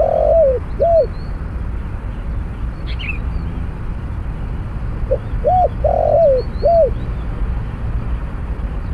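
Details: Cooing spotted dove during a trapping session with a snare cage and a decoy bird: two matching phrases of mellow arched coos several seconds apart, each with a long drawn note, over low background rumble and a few thin high chirps.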